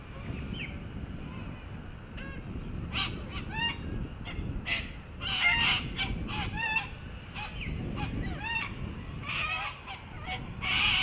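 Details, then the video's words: A large flock of little corellas (Cacatua sanguinea) playing on a children's sandpit and swings near Perth, Australia, give harsh, screechy squawks in quick irregular bursts, many calling over one another, over low rumbling background noise. "Cockatoos playing in sandpit and on kid’s swings"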